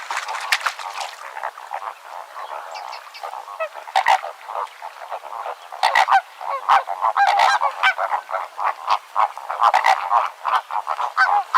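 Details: Flamingos calling as a flock, loud nasal honking and trumpeting used for social contact, a dense continuous chorus of overlapping harsh honks with louder bursts near four, six and ten seconds.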